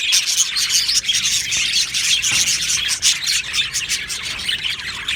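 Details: Many budgerigars in an aviary chirping together: a thick layer of high, rapid twitters and whistled squeaks, with brief dips in volume near the first and third seconds.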